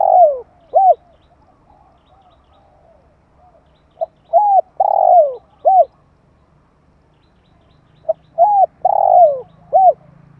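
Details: Spotted dove call from 2021 used to stimulate decoy birds and draw in wild doves: three phrases of quick clipped notes and a drawn-out downslurred coo, repeated about every four seconds, with a faint low hum.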